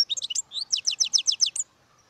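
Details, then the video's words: European goldfinch song: a couple of liquid slurred notes, then a rapid, regular run of about eight bright, high chirps, each given a little more than a tenth of a second apart. "Goldfinches(carduelis) Amazing Singing Compilation"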